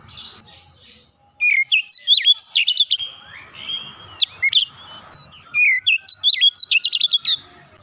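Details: Bursts of varied whistling and rapid clicking from an Oriental magpie-robin, including a long downslurred whistle, repeated in two strong phrases.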